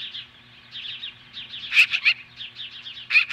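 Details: Osprey at a Montana nest confronting magpies in mid-morning, July 2015; a rolling series of high whistled chirps with two louder, harsher notes around the middle and another pair at the end.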